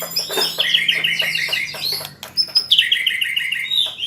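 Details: White-rumped shama, described as learning to sing rolling trills, gives fast repeated chirping phrases around mid-high pitch, with a second run of rapid notes after a short pause; a low steady hum sits underneath.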